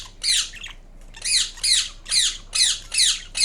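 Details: Green Indian ringneck parrot kept as a pet, giving a run of six harsh, high squawks, each a short rasping burst roughly every half second, indoors with a faint low hum behind.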